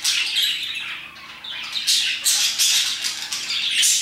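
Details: Several parakeets chatter nonstop around 2pm near a stream in harsh, scratchy chirps and squawks, high-pitched and overlapping, swelling in bursts about every half second.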